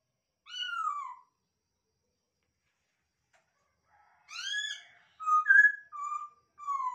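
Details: Captive masked laughingthrush gives a single descending whistle, then a pause of about three seconds, then another loud falling harmonic note followed by a string of short, level whistles. No other sounds are heard.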